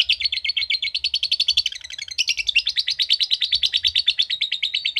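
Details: Lovebird in fast ngekek chatter, about three harsh, high pulses per second in a continuous run, with a short shift in tone midway before the rapid trill carries on.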